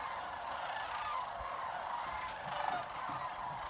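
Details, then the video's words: Trilling and chatting sandhill cranes at Jasper Pulaski Fish and Wildlife Area: a constant chorus of rolling, purring calls, with a few individual trills rising briefly above the crowd-like background. "Sandhill cranes trilling and chatting"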